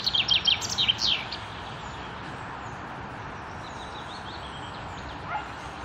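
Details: Common chaffinch singing in May 2016 at the Akulovsky waterworks in Korolyov: one quick burst of bright, high notes tumbling downward for just over a second, then steady hiss with faint distant bird notes.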